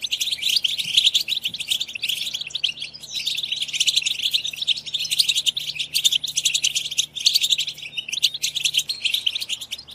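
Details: Goldfinches singing in a stream used to encourage goldfinches to sing and mate: ten seconds of continuous dense, high twittering and trilling with a faint low hum beneath.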